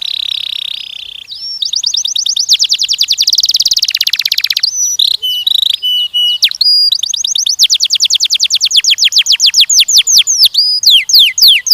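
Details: Canary singing to train young males and females for mating. A sustained buzzy note runs into a fast rattling trill, then short flat whistles. A long steady series of quick repeated notes closes with looping down-slurs.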